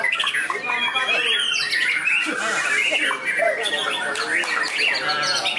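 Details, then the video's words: A trained white-rumped shama being tried at a contest field pours out luxurious mimicked phrases. Harsh squawks and chattering notes mix with a few bright whistles, dense and unbroken throughout. "Murai Batu WARDANA Prospek Lapangan, Isian Mewah Super Istimewa"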